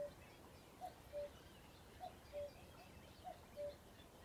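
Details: Common cuckoo at RSPB Ham Wall Nature Reserve, Somerset, UK, giving its two-note cuckoo call, a short high note dropping to a lower one, repeated steadily about three times, with quiet countryside background.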